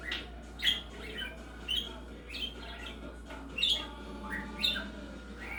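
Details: A pet budgerigar talking and chattering in bright, squeaky chirps and warbles, roughly one burst each second.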